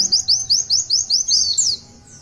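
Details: Oriental white-eye in active song, the long 'tulitwitwit' style: a run of about seven high, thin whistled notes, each sliding downward, then a brief squeaky flourish at the end.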